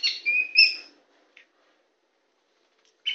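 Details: Tame white-rumped shama singing on a hand: a short burst of clear whistles and buzzy notes, then near silence with a faint chip and a final note.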